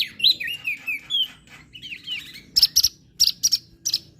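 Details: Crested white-eye from Lombok, recorded as a training song for birds that rarely sing: quick whistled slurred phrases rising and falling, then a run of sharp, high clipped notes repeated in short bursts, with low faint background hum.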